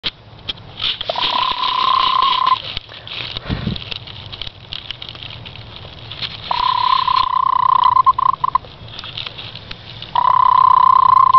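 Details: A Speckled Sussex hen, while nesting, gives a low, rolling purr in long sustained bouts, a steady trill broken by short gaps, with soft rustling between.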